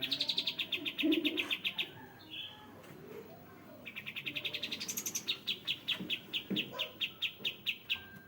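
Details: Sooty-headed bulbul, kept for bird therapy training: two long runs of sharp, high chirps repeated about four times a second, separated by a brief lower warble, with soft low background noise.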